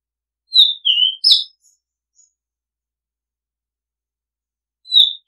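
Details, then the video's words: Whistled phrase from an Oriental magpie-robin, offered as decoy-bird calling: three bright notes, the last with a sharp click, then a pause before the next phrase begins in an otherwise quiet recording. "Oriental Magpie Robin Sound Long play เสียงร้อง นกกางเขนบ้าน"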